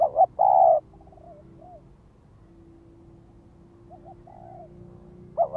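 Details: Spotted dove acting as a ground lure to draw wild birds: one loud double coo and long note, quiet soft coos in the middle, and the next loud phrase beginning at the very end.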